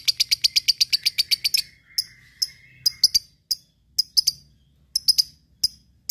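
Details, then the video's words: Lovebird ngekek to provoke rivals and train fighter birds: rapid even trill of shrill chirps, then scattered sharp single and double chirps with a faint thin whistle. "SUARA LOVEBIRD NGEKEK MEMANCING LAWAN BUNYI BURUNG BAHAN FIGHTER CEPAT RESPON"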